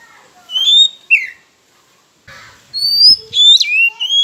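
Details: Oriental magpie-robin (kacer) song played as a lure to provoke rivals and stir silent birds: clear, high whistled notes and slurred phrases, then a pause, then a louder run of bright whistles with sharp downward swoops.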